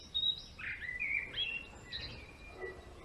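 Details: Male European greenfinch singing: a few short twittering and trilled phrases at fairly high pitch, separated by brief pauses, over soft background noise.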